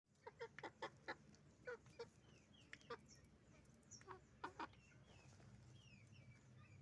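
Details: Roosters and hens on a chicken farm making noise: sharp, short clucks in irregular bursts, with faint high peeping chirps between them over a low steady hum.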